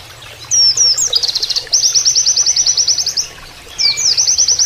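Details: High whistled flourishes from an Oriental white-eye's canary-imitating 'nembak kenarian' master song, followed by a long, fast, even trill of repeated sharp notes, a pause, then another burst, with trickling water underneath.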